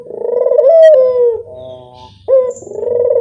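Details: Barbary dove giving a lure call: a loud, low rolling coo that swells and then eases down, a short pause, then a fresh purring coo starting abruptly and building again.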